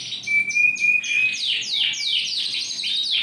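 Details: Yorkshire canary, large bodied, ring 20, 28 January 2021: a clear high sustained whistle opens, then quick falling notes break into a rapid trill.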